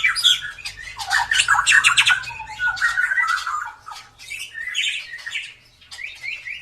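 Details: A drooping-tailed white-rumped shama in full, persistent song, used to stimulate quiet birds. It opens with dense harsh chattering bursts, then moves to whistled slurs and short bright notes that fade and return.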